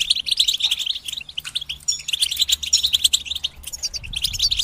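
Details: A chorus of European goldfinches giving batbata, a group chattering song said to encourage goldfinches to sing during moult. Busy, overlapping tinkling twitters and sharp chirps pour out continuously at a rapid, uneven pace.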